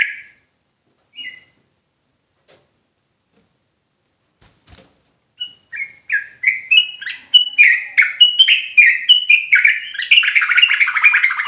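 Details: Sooty-headed bulbul in ropelan style, persistent and emotional: a few isolated chirps and clicks at first, then from the middle a swelling run of rapid whistled notes ending in dense, continuous chattering.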